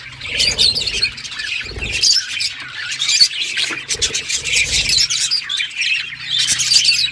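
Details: Budgerigars playing together, producing lively, overlapping chirps and scratchy warbles in rising and falling bursts over a steady low hum.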